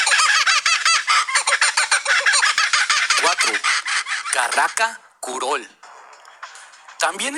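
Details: Kookaburra, an Australian bird, in a loud, raucous cackle often likened to human laughter: rapid chattering notes build into rising and falling laughing bursts, and several birds seem to join in.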